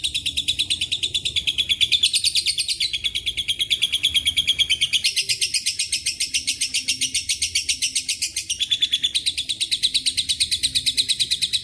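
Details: Lovebird in a long ngekek chatter laced with Cililin and canary phrases: a continuous, very rapid high trill of sharp ticking notes pulsing about three times a second, shifting pitch in several sections without pause.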